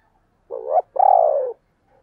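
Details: Spotted dove giving the 'thúc + gáy gọi' call: a short rising coo, then a longer throbbing coo that slowly falls. The background is quiet.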